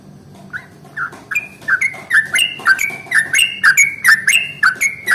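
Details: Morning yellow-vented bulbul song, meant to provoke rival bulbuls to sing: a few spaced liquid notes build within a second into a rapid, even roll of bubbly chirps.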